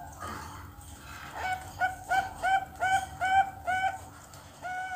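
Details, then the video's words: Bangkok zebra dove chick aged two months, kept in captivity and learning to sing, repeats short, slightly upward-curving cooing notes roughly three per second, with a soft hum and faint rustling behind. "PERKUTUT BANGKOK PIYIKAN 2 BULAN BELAJAR BUNYI"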